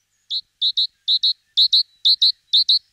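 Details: Great tit at a nest box it is moving into, singing a clear, ringing two-note phrase repeated about five times in three seconds. Each pair is bright, quick and evenly pitched against a silent background.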